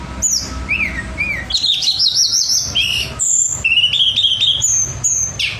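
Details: Tledekan, the Pied fantail, in a varied contest-style song: sharp high whistles, short downslurred notes, and wavering trilled phrases that rise and fall, delivered in a quick continuous stream.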